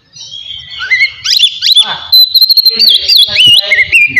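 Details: Oriental magpie-robin in relaxed 'ngeplong' song, used to rouse emotion and breeding drive: a soft start builds into twisting whistled slurs, then a sustained high whistle with fluttering and descending notes.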